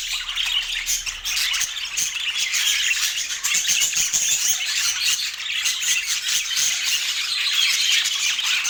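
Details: Colorful pet budgerigars enjoying apple, filling the air with nonstop high, rapid, scratchy chirps and twittering warbles from several birds at once.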